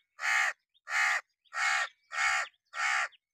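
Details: Hooded crow perched on wood in summer rain, giving five loud, harsh, evenly spaced caws, one roughly every 0.6 seconds, each a broad raspy burst with no other clear sounds.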